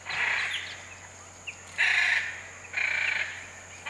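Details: Hyacinth macaws calling in the Pantanal, giving loud, harsh, grating squawks of about half a second each, three in quick succession with short pauses, plus a faint chirp between them.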